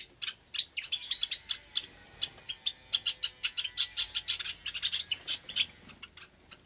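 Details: Aviary of Java sparrows with chicks, Sunday morning, 8 May 2022; rapid, fairly regular short chirps, roughly four to six a second, growing busier in the middle and tapering off at the end.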